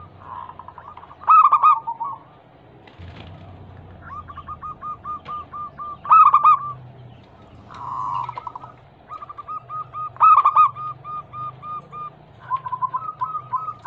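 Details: Zebra dove lure song, a female calling the male: loud rolling coos recurring every two to four seconds, alternating with runs of rapid soft clipped notes and a brief humming phrase, faint low rumble underneath.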